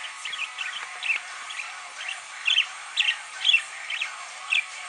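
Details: A pet parakeet sings along to the Foo Fighters' "Monkey Wrench" while dancing and headbanging, giving quick, bright chirps and warbled twitters in bursts about twice a second.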